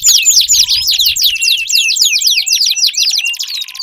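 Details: Canary singing meant to prompt a canary that has gone quiet, quick bright looping notes strung in a rapid even series, with soft low thuds at the start.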